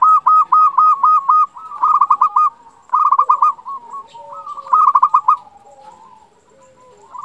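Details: Local zebra dove singing steadily, used as a tutor and lure to stir breeding mood and draw replies from rivals. Rapid bursts of pulsed, bubbling coos come about once a second, fading into softer, lower rolling notes.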